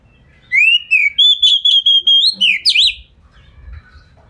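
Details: Oriental magpie-robin song used as a lure to make other magpie-robins answer: one loud whistled phrase rising and sliding, then a run of about ten sharp, evenly pulsed notes ending in a swooping flourish, then quiet.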